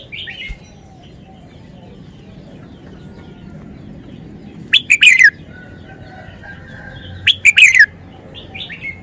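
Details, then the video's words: Caged red-whiskered bulbul singing in the wild 'phleng pa' style: two short, loud, rolling whistled phrases roughly two seconds apart, with quiet chirps and low background rumble. "นกกรงหัวจุก 292 เพลงป่า แกนโต"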